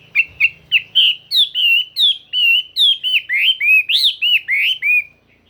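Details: Chinese hwamei in full forest-style song: a fast, steady run of loud, rich whistled notes, each slurred up and down, about three per second, with no other sounds.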